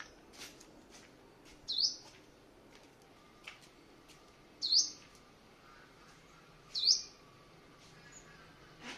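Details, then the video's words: Sharp, high, slurred chip notes spaced two to three seconds apart, three in a row, from a white-bellied five-coloured sunbird decoy bird during morning exercise in Quảng Ngãi, Vietnam, 21 May 2020, with light clicking between. "Hút mật 5 màu bụng trắng mồi"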